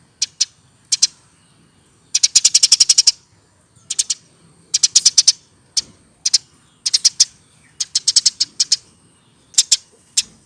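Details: Eurasian tree sparrow used as a tutor for cage birds: isolated piercing chirps, a dense rattling burst of rapid notes, then irregular pairs and short clusters of high chirps.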